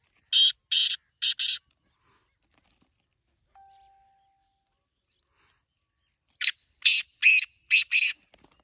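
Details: Black francolin gives loud rasping calls: three harsh broadband notes early, a long pause, then five grating notes in quick succession, with a faint steady high insect tone behind.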